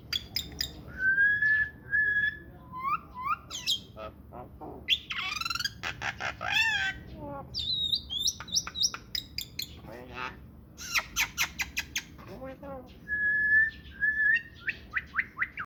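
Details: Talking myna producing a busy mix of clear whistles, sharp chirps, harsh rasping notes and rapid clicks, with a few longer level whistles recurring, all fairly loud and close.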